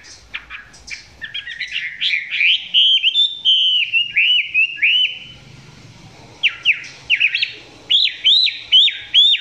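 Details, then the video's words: Chinese hwamei singing at close range, not yet in full voice: loud clear whistled phrases, rising and falling slurred notes repeated in quick runs, with a brief quieter pause midway before bright upslurred whistles resume. "Quay gần em mi hót chưa căng lắm nhưng tạm chơi được"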